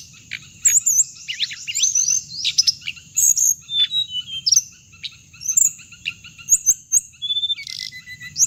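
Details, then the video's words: Lure sound for trapping hồng hạnh birds: dense runs of very high, sweeping chirps and trills, sharp ticks and a short buzzy phrase near the end, all over a steady high whine. "tiếng chim hồng hạnh âm thanh để bẫy loa"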